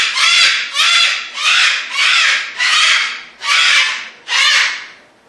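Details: Cockatoos displaying indoors make six loud, raspy screeches in a steady series, about one every three-quarters of a second, each harsh and grating with no tonal quality.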